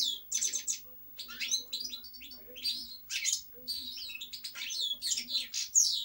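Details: European goldfinch singing clear, separated twittery phrases of sharp chirps and slurred whistles, with short silent gaps between bursts.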